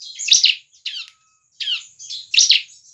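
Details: Lure song of a lively bar-winged prinia: four separate high, buzzy chirps with falling tails, spaced by brief silences, and a steady thin background whine.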